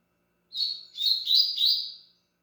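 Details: Double-collared seedeater singing a single phrase of about one and a half seconds: a rapid warbled run of high whistled notes, slightly rising, in clear quiet surroundings.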